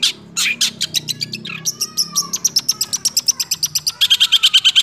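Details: Six-month-old long-tailed shrike in 'roll speed' style with 'nembak' shots: fast rolling, buzzy trills of rapid repeated notes, a drawn whistle, then a burst of piercing high pulses near the end.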